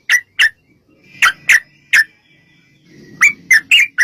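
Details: Yellow-vented bulbul recorded to lure other bulbuls into replying: spaced sharp chirps, a brief pause with low rustling, then a quicker cluster of four bright notes.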